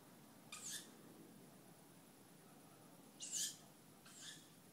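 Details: Young tawny owls calling at night, giving three short, rasping screeches at irregular intervals against a quiet background hiss.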